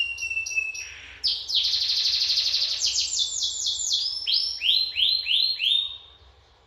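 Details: Canary in Lampung, Indonesia, in full song: a thin level whistle, then a loud buzzy rolling trill, followed by about five swooping downward-curving whistled notes repeated in quick series that fade out, with a soft low hum beneath.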